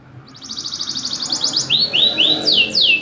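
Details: Loud champion canary song used as a lure for canaries that will not sing, with tight pauses: a rapid high trill, then a series of sweeping downslurred whistles repeated about four per second.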